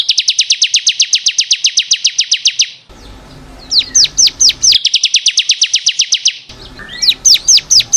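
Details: Bar-winged prinia, ciblek kristal, song for training caged birds: rapid ringing trills of high sharp notes alternate with short runs of downslurred whistled chirps.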